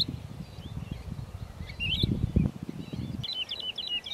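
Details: A woodlark singing in the Lüneburg Heath heathland in the early morning: soft, liquid high notes becoming a quick run of repeated fluty phrases near the end, over low rumbling wind noise.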